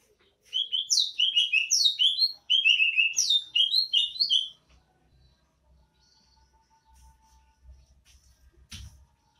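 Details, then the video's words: Greater green leafbird from Banyuwangi giving its characteristic song in the style called bebeci: a rapid, four-second run of high chirping, twittering notes in two bursts, followed by near silence with faint low thumps. "( Bebeci ) Suara khas cucak ijo Banyuwangi"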